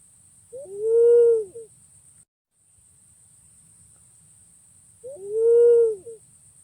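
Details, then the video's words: Two separate long whistles from a pink-necked green pigeon, about four seconds apart. Each is smooth and arched, with brief softer notes at the start and end. Quiet background hiss in between. "Suara Burung Punai Pink ( walik Ungu )"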